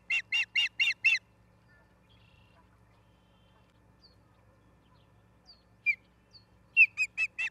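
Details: Nesting ospreys in Charlo, Montana, live-cam recording from 10/03/2023 at 09:10; a fast string of five harsh, high notes opens, a long quiet gap with faint chirps follows, and another rapid series of sharp calls closes.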